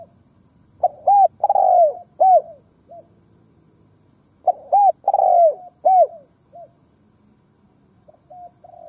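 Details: Cooing of a decoy Spotted dove used to draw in wild doves. Two full phrases of short arched notes and one long descending coo are spaced several seconds apart, ending in softer trailing coos.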